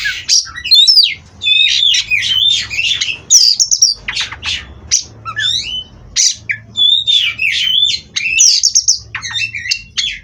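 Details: Captive Oriental magpie-robin bred for competition singing a rich, energetic sequence of downslurred whistles, rasping bursts and fast chip series, repeated phrase after phrase with short breaks, soft low hum present.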